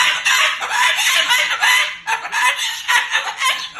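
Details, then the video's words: Angry pet Moluccan cockatoo talking and cursing loudly at its owner, harsh raspy bursts of voice running almost without pause, rough and strained, with brief dips between phrases. "He's talking and cursing LOUD and funny"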